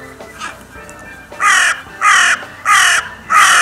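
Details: Four loud, hoarse crow caws at a steady rhythm, about one every half second after a quieter start, recorded at the Steinrevier site on 6 January 2022, with faint music beneath.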